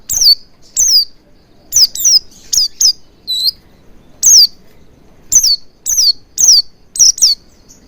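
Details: Lure song of the Oriental white-eye, intended to get birds singing quickly: about a dozen high, falling whistled chips, delivered in quick clusters with brief pauses, over a quiet background.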